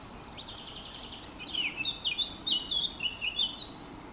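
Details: Eurasian blackcap song: a quick, varied warble of sharp, fluting notes that starts quietly and grows louder and denser in the second half, over steady faint background hiss.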